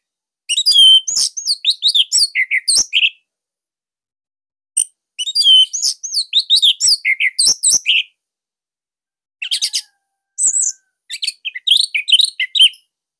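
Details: Caged Bali orange-headed thrush singing a loud, tight master song for training other thrushes: three bursts of rapid, varied high whistles and chattering notes, separated by short pauses.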